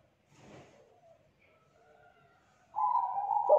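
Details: Spotted dove, young, wild-caught, kuk 2 type, starting a loud low coo near the end after a quiet stretch with a faint rustle and soft tones.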